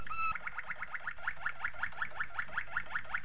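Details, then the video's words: A Malinois Waterslager canary singing a training song gives a low, bubbling roll of rapid rising notes, about five each second, steady throughout, over a faint background hum. "Waterslager Canary Training Song"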